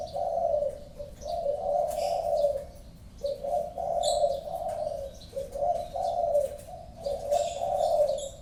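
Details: Tekukur, the spotted dove, giving a repeated cooing call: hollow, low coo phrases about two seconds long, each followed by a short pause, with faint chirping of other birds behind.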